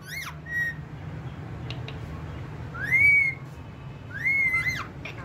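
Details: Pet talking ringneck parrot; a few arched, harmonic whistled calls rise and fall near the middle of its range, spaced a second or more apart, with fainter short notes between and a steady low background hum.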